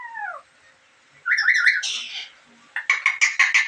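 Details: Black-capped lory giving strange calls: a falling whistle, harsh squawking bursts, then a rapid run of loud ringing notes.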